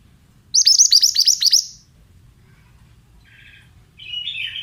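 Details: Mountain-type male Oriental magpie-robin singing a rich rapid sequence of about eight high, steeply falling notes, followed by softer buzzy rasping calls.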